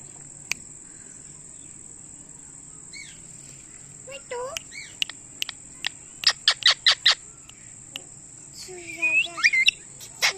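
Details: Indian ringneck parakeet giving loud chirping calls: scattered sharp clicks, then a run of rapid loud chirps around six to seven seconds and a burst of rising squawky notes near nine seconds, over a steady high electronic whine.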